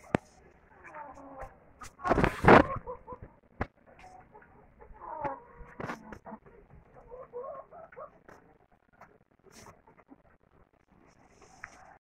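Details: Laying hens in a henhouse cluck in low, murmuring notes, with one louder squawk near the start; a person speaks briefly.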